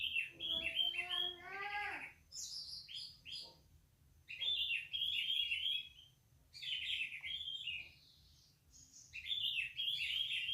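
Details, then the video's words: Orange-headed thrush from Indonesia in persistent, open 'ngeplong' song: dense bursts of varied, warbled, slurred phrases, a ladder of stacked tones early on, then pauses of about a second between loud runs. "PASTOL NGEPLONG NGOTOT"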